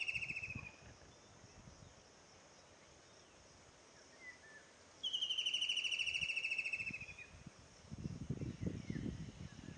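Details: A White-throated kingfisher (Halcyon smyrnensis) gives a loud, shrill, descending chattering trill.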